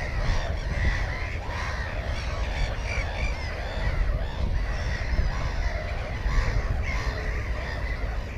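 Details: Nesting Black-headed gull with one egg and one chick, GoPro 4 recording from 15 May 2016. Many rasping, slurred calls overlap without pause, forming a dense colony chorus above heavy low-frequency rumble.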